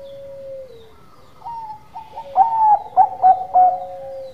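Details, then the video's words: Bangkok-type zebra dove singing steadily: a long low steady coo, then stepped higher whistled notes, ending in a run of loud bubbly warbling coos about every third of a second over a lower sustained tone. "Perkutut Bangkok Gacor Manggung"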